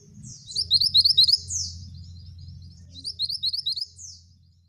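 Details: Vocal male scarlet minivet singing in the rolling, shooting style. A brief burst of quick bright upswept notes is followed by slurred buzzy notes, then a second, fainter run of rapid whistles. A steady low hum sits underneath.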